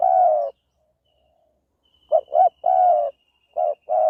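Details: Spotted dove from Thailand's Isan countryside giving low, mellow coos: a long drawn note, a pause, then two quick coos and another long one, followed by further short coos, over a faint thin high hum.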